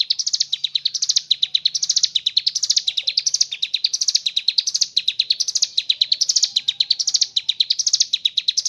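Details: Mountain leaf warbler in ngebren style, its song holding kapas tembak imitations: a nonstop run of high, piercing notes, each phrase climbing then dropping, repeated roughly every three-quarters of a second.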